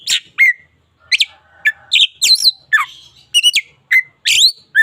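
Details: White-rumped shama, local type, singing loud separate phrases: sharp whistled notes and quick downward slurs about twice a second, some with a buzzy edge, in a quiet setting.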